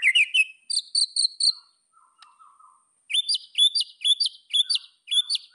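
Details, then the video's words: White-rumped shama song played to provoke rivals: clusters of bright, high chirped notes, a short pause with soft lower twitters, then a run of quick repeated upslurred whistles. "MASTERAN MURAI BATU. AMPUH PANCING EMOSI LAWAN"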